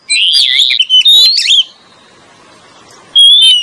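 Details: Lure song of Oriental magpie-robins, male and female: a rich warbled whistle with slurs and a dropping note, about two seconds of silence, then a single clear high whistle.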